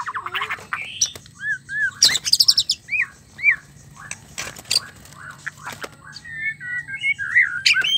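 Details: White-rumped shama mating song used to provoke a male into singing: quick varied phrases of slurred whistles, sharp clicks and a burst of loud high notes near the middle, continuing as looping whistles over a faint hum.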